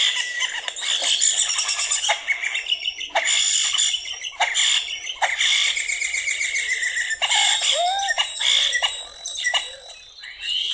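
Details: European starling giving a dense, wild chatter of clicks, rattles and squeaky notes, like chattering monkeys, as these colonial birds do in groups, then a crazy rising slurred whistle near the end; no other sounds.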